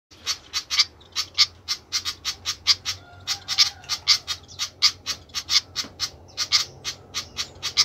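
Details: Flycatcher calling noisily: short harsh broadband notes centred high, repeated rapidly about three times a second in a steady run, with a faint low hum underneath.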